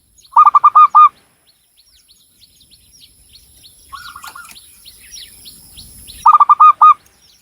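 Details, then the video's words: Cilacap, Central Java: a local Javanese zebra dove delivers a brief loud run of hooked coos, falls quiet while other birds chirp thinly at a distance, then repeats a similar fast coo phrase. "SUARA BURUNG PERKUTUT LOKAL JAWA GACOR"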